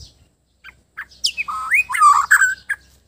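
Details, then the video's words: White-rumped shama from Sabah, relaxed: a few soft short notes, then loud clear whistles sweeping upward and sliding, ending in a bright warbled flourish. "Kicauan murai batu Sabah : Suara dan aksi santai"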